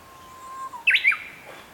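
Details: Song of a young Japanese bush warbler in the spring-water valley of Zama Yatoyama Park, Kanagawa, Japan, 16 May 2023: a faint, level whistle, then loud, clipped, rising notes forming a short two-part ending.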